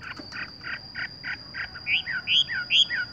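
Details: Horsfield's bush lark song, tung roll gantung langsung ngerol style: a steady row of buzzy chirps about three per second, then louder rising and falling whistled slurs, over a constant high electrical whine.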